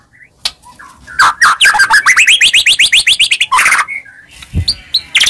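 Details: Lure recording of a White-rumped shama meant to provoke a quiet shama: scattered soft notes, then a rapid run of rising, clipped chirps, closing with a loud harsh burst and some scattered calls.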